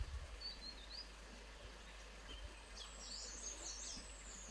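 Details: High, thin whistled call of a grey-headed canary-flycatcher at Motidhar: a brief wavering phrase early, then a longer sweeping series of squeaky notes, all over a low steady background noise.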